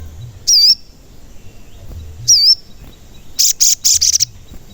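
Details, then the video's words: Active singing sogon, heard as a lure to set other sogon birds singing: two separate high looping whistled notes followed by four short, loud, buzzy high-pitched bursts in quick succession. "Pancingan Sogon Agar Bunyi dan Emosi"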